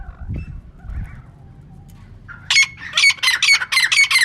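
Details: Female francolin, quiet low rustling at first, then from mid-clip a loud run of rasping, squawky notes repeated roughly twice a second.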